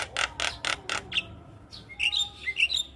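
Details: Javan myna song meant for teaching young birds: four loud harsh rasping bursts followed by a brief pause, then a run of whistled, warbling notes.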